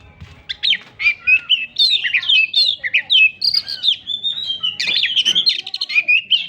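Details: Oriental magpie-robin (kacer) singing in gacor style: a rich, varied stream of clear whistles, slurred notes and short scratchy bursts, delivered rapidly with brief pauses and no other clear sounds.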